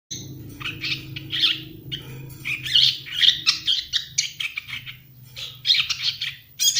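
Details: Young Ashy Tailorbird chattering in quick bursts of high, scratchy chirps and trills, clustered and irregular across several seconds, with a faint low hum beneath.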